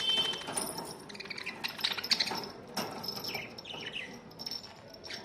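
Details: Budgerigars fighting and playing with new toys chatter with quick, scratchy chirps and brief warbled notes.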